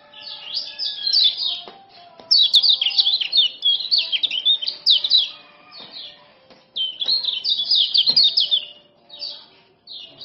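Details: Male common iora of the Lombok type giving rapid 'ciak ciak' calls, used to tutor and lure silent birds into singing. Quick bursts of sharp, high chirps tumble in two-second runs, with faint steady low tones behind.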